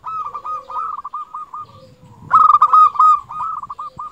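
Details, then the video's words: Local zebra dove in full song, used to lure and stimulate other doves: mid-pitched cooing phrases of rapid, stuttering notes running into a rolling trill, one louder phrase overlapping, with low rumbling background. "Perkutut lokal gacor suara ini paling di sukai perkutut untuk masteran langsung nyaut"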